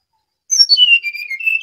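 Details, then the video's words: A single clear phrase from a brown-chested jungle flycatcher in full song: sweet whistles sliding down from high pitch, then levelling into a sustained wavering note. "Sinkatan rimba dada coklat (SRDC) Bali Gacor"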